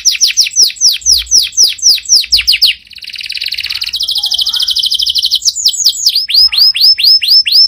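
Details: Loud canary song: quick series of falling whistled notes, a smooth buzzing roll in the middle, then more clear descending whistles, delivered rapidly in a quiet setting.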